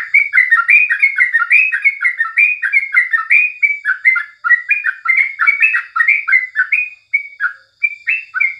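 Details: Yellow-vented bulbul (crucukan) singing in the morning: a loud, continuous run of bubbly, chattering phrases, each quick up-and-down note group repeated several times a second, with short pauses near the end and no other clear sounds.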